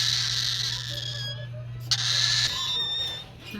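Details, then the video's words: Hungry baby cockatiel crying like a baby to beg for food when its feeder arrives: a harsh, raspy, continuous high-pitched begging cry with a brief squeal, over a steady low electrical hum. "The crying Cockatiel"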